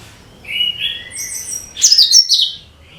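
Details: Cucak kinoi bulbul lure song for all kinds of birds. A pair of clear mid-high whistles leads into a loud, rapid, scratchy high-pitched trill.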